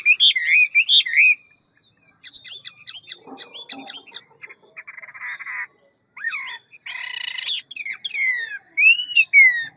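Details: Hwamei singing in the ngũ trường style, described as a forest voice with quick delivery and many voices: loud whistled upslurred notes, then a pause, then scattered chips, a harsh buzzy burst and sweeping ringing whistles at the end.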